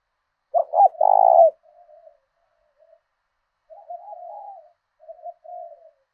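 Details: Spotted dove kept as a decoy, voicing the thổ đồng style of southern Vietnam to provoke rivals: a loud clipped coo and a sustained throaty coo, then softer drawn-out murmuring coos.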